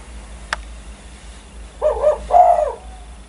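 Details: Spotted dove valued as a keen caller that prompts other birds to join in: a sharp click, then a two-part coo with a short first note and a longer, fuller second.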